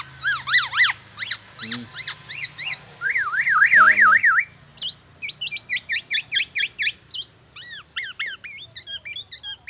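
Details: Black-naped oriole mimicking oriental magpie-robin and an ambulance siren: quick ringing whistles, a wailing zigzag siren imitation lasting about a second, then rapid runs of sharp chipping and slurred whistled notes.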